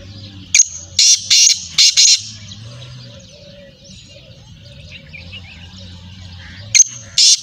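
A Black francolin gives a loud, harsh, grating phrase of about five rasping notes in under two seconds, then starts it again after a pause. The background is quiet.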